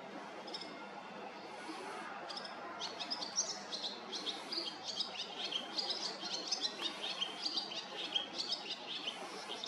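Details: Swallow, possibly a recently fledged young bird, calling around the same spot for several days; short chirping and twittering notes come in quick bursts, denser in the second half, over a steady hiss of background noise.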